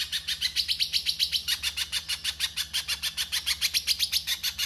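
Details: Little spiderhunter in rough 'konslet' masteran, pouring out a rapid, bright, grating chatter of nearly seven notes per second, edged with thin whistled accents, over a soft low hum.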